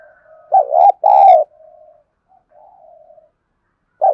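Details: Spotted dove decoy calling to provoke wild birds to coo: a pair of loud low coos, the second long and hoarse, followed by faint murmuring coos and the start of another loud note.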